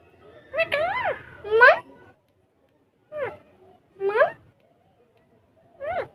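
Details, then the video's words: Pet ringneck parrots talking in Urdu or Hindi while playing on a table: five separate, speech-like syllables with clear harmonics that swoop up and down, spaced by pauses of one to two seconds in a quiet indoor room. "Ringneck Parrots Talking And Having Fun On Table In Urdu Hindi Talking parrot mitthu"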